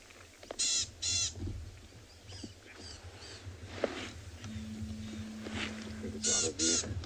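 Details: At sunrise on 6 July 2020 in Tswalu Kalahari Reserve, South Africa, a Rattling Cisticola gives harsh, buzzy rattling bursts, two close together then another after a pause, while birds scold a slender mongoose; low rumble, faint speech.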